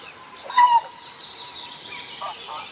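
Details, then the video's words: Whooper swan at Vilkkilänturska, Virolahti, Finland, giving a strange call, apparently with something stuck in its throat and drinking water constantly; a single short, loud nasal note with a slight downward bend, over a faint background chorus of birds. "Laulujoutsenen kipeä kurkku"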